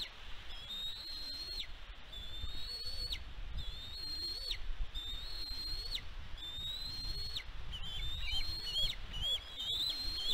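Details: Bald eagle at the West End nest on Catalina Island, California, USA, recorded May 16, 2022 by a nest camera. High, thin whistled notes come in a series about every second and a half. Each note is drawn out and ends in a sharp slide, over low rumbling wind.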